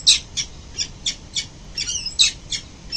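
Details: Peregrine falcons, a mother and father, arriving home at their nest on a city building in early morning in November; sharp, harsh high calls repeated in quick bursts, about ten in three seconds, some doubled.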